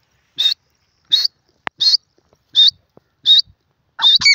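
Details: Six sharp, high, squeaky calls of a grey francolin (teetar), evenly repeated roughly every 0.7 seconds, the last one doubled with a lower harsh note, plus a few faint clicks between calls.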